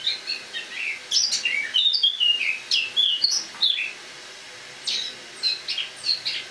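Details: Eurasian blackcap, captive and wintering indoors, singing its autumn song on 1 October 2017: a run of clear, slurred warbling notes, a pause of about a second, then softer twittering phrases.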